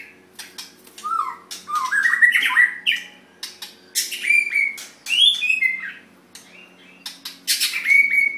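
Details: White-rumped shama, caged contest bird: loud whistled phrases rising and falling, interspersed with sharp clicks and squawky notes, bursts of song separated by short pauses, in a small room with a faint low hum.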